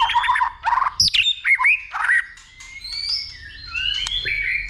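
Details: Fired-up white-rumped shama singing a fighting song, provoked by a female with continuous clicks and tail flicking: bursts of loud, harsh, choppy notes, then long pure whistles stepping upward.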